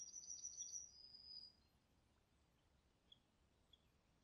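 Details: Common kingfisher in Poland's Niepołomice Forest, July 2020: a piercing high whistle held for about a second and a half, ending abruptly, followed by quiet with two faint distant pips.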